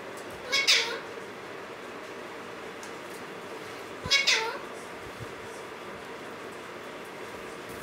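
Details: Male and female Alexandrine parakeets kept as a pair in a cage; two brief harmonic cries about three and a half seconds apart, each sliding downward at the end, with faint room noise between.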